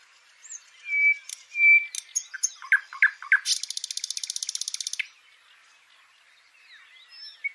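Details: Singing nightingale, live: pure drawn-out whistles, a burst of sharp chirps, then a long buzzy trill of fast pulses lasting over a second, followed by quiet scattered notes.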